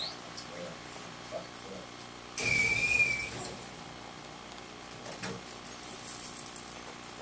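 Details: Varied thrush in the rain giving a single drawn-out whistled note with a faint waver, lasting about a second, overlaid by a sudden burst of broadband rustling noise, with a man talking at times.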